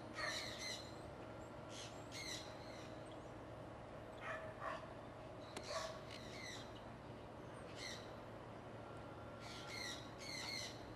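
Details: In early spring 2003 in Iowa, a flock of pet conures on a free flight calls with rough squawks every second or two, fairly distant and soft, over a steady low hum.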